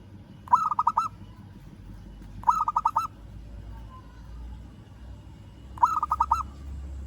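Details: Local zebra dove calling a rival: three separate bursts of fast, pulsing, purring coos, each about half a second long, the gaps between them uneven, with a low rumble underneath.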